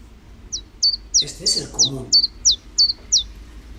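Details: Common chiffchaff song in Urdaibai in early May 2021: nine high, sharp downslurred notes at a steady pace of about three per second, lacking the Iberian chiffchaff's final 'chi-chi-chi' run, with a brief burst of speech in the middle.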